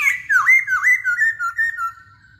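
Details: Masked laughingthrush in active song: about eight quick, loud, wavering whistled notes in a bouncing sequence, fading toward the end.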